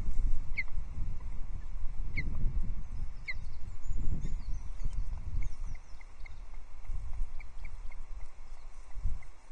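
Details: Osprey at the Loch Arkaig nest on a July morning, 14 Jul 2022, while moss and a third fish are brought in; short whistled chirps repeat roughly every second and a half over heavy low wind rumble.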